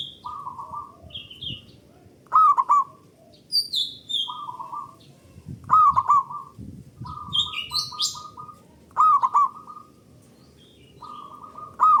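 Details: Local zebra dove song, loud and long, played to spur other doves into song: trains of quick stuttering coos about every three seconds, each near a bright ringing chirp, with faint higher bird notes.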